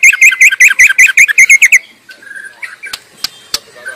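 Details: Wild white-rumped shama: a rapid burst of about twelve looping whistled notes, then quieter scattered whistles and sharp clicks.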